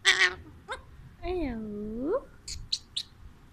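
An Alexandrine parakeet talks: a harsh squawk, then a long voice-like word that dips and rises, followed by a few short scratchy chirps.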